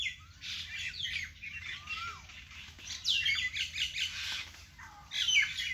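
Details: Birdsong in a vegetable garden: clear slurred whistles, one gliding downward, mixed with scattered high chirps and short twitters from more than one bird, louder bursts near the end, low hum beneath.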